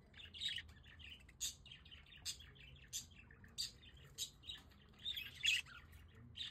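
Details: Several pet budgerigars sit out on a balcony in The Hague in good weather, chattering in quick bright chirps and squeaky warbles in bursts about every second, over low background rumble.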